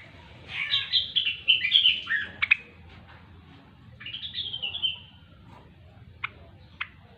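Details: Grey-cheeked bulbul (rengganis or cucak wilis) singing gacor style: a rich warbling phrase lasting about two seconds, a pause, a second shorter warbled phrase, then two sharp isolated clicks near the end.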